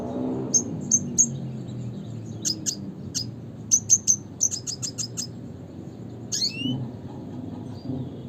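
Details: Classic-style calling of a red siskin (Spinus cucullatus): three spaced high chirps, then a quick rattling burst of sharp notes, ending in a downward-sweeping whistle, with a low hum beneath.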